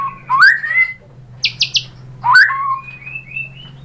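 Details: White-rumped shama lure song used to get other shamas singing: two rising whistled phrases separated by three buzzy high bursts, ending in soft high thin whistles over a constant low hum.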